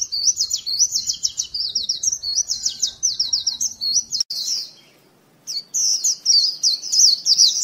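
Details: Rapid, high, repeated chirping phrases of a white-eye lure call, a steady twitter broken by one short silence.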